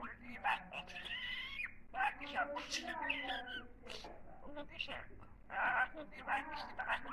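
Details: Budgerigar talking: a fast stream of nasal, speech-like phrases with wavering tonal bands, broken by scratchy clicks and short squeaky notes, in bursts separated by short gaps indoors.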